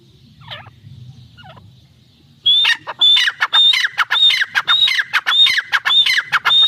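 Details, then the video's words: Irani teetar francolin: two faint distant notes, then loud calling starts abruptly, a regular series of grating phrases, each with a high whistled tone, almost twice a second. "Teetar ki awaaz | irani teetar paire ki awaz"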